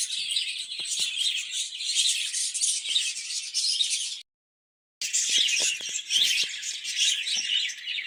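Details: A group of caged budgerigars kept for breeding chatters in fast, high squeaky warbles, broken by a short silent gap midway, with faint low taps.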